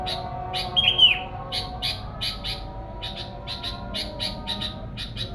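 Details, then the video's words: Sooty-headed bulbul song, used to lure wild birds: short bright chirps repeated in quick pairs, with one clear whistled phrase near the start, over a low steady hum. "kicau kutilang"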